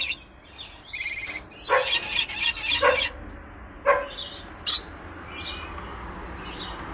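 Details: Weber's lorikeet (Trichoglossus weberi) gives harsh, shrill screeches in short bursts, mixed with thin, buzzy chirps and high twittering notes.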